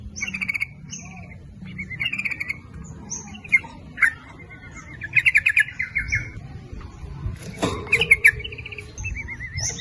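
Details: Yellow-vented bulbul lure song to bring males and females, nguplik ropel style: short chattering phrases mixed with thin high whistles, several rapid bubbling runs and a sharp knock near the end.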